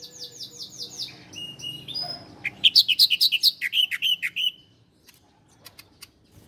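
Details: Master recording of the bar-winged prinia (ciblek Koya) for training cage birds: soft buzzy trills, then a loud burst of about a dozen quick, sharp chirps, followed by near silence with scattered clicks.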